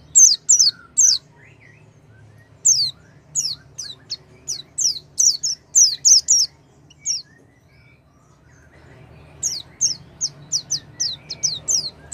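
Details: Oriental white-eye song for provoking a silent white-eye to sing: bursts of quick, high, descending chirps, a quiet gap of about two seconds, then a fresh rapid run.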